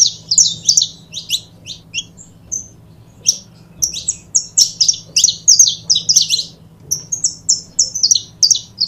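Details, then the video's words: Saffron finch pair singing in chirpy bursts: clusters of high, clipped notes separated by short gaps, then a long run of quick bright chirps. A low hum is faintly audible throughout. "Casal de Canário da Terra Bom Para Foguear!!!"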